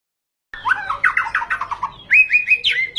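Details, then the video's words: White-rumped shama song used as a lure to provoke other birds: a quick run of descending whistled notes, then loud rising and falling whistles, over low background rumble. "PANCINGAN MURAI BATU GACOR FULL ISIAN"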